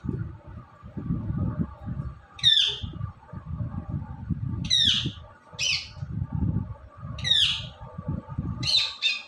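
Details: Indian ringneck parrot, kept as a talking pet, gives short harsh squawks roughly every two to three seconds, some doubled, against continuous low human voices and indoor background noise.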